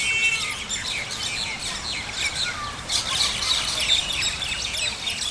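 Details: Common mynas at Al Majaz Waterfront, Sharjah, UAE, on 4 January 2020 at 5:34 PM, chatter without pause in a dense, overlapping stream of high chirps, whistles and harsh notes, as from several birds at once.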